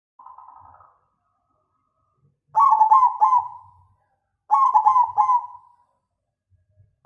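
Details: Zebra dove of the black cemani Majapahit type with a loud voice: a short cooing note, then two rolling, stuttering coo phrases about two seconds apart, each ending in a fading trill.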